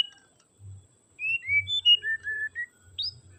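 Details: Song of a white-rumped shama, played to rouse a reluctant singer: a run of pure whistled notes, some rising, some level, ending in a quick upward flick, over a faint low hum.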